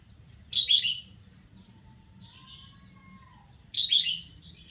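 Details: A red-whiskered bulbul rehearses its song, giving two brief warbled phrases about three seconds apart. A faint, thin, level whistle sounds between them over a soft low hum.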